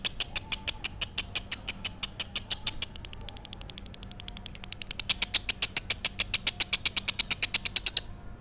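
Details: Lovebird song of high, sharp repeated notes that speed up and soften midway, then grow loud and regular again before ending abruptly.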